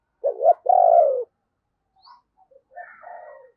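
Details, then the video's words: Decoy spotted dove calling thúc and gáy to attract wild doves. A double-humped coo runs into a long, steady, slightly falling note, followed after a pause by soft, scattered cooing. "Chim Cu Mồi Thúc Và Gáy Gọi Bổi"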